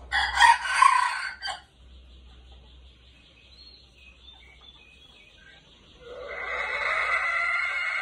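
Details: Red junglefowl kept as a decoy bird, with golden plumage, crows twice: a harsh, broken crow in the first second and a half, then quiet with a faint tone, then a second loud, ragged crow starting near six seconds.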